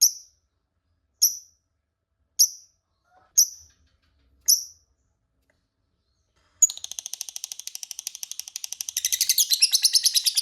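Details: Lovebird used as a lure to make rival lovebirds answer in ngekek. Five sharp, high, clipped chirps about a second apart, then after a silent gap a fast, dense, high chattering trill that grows louder and harsher toward the end.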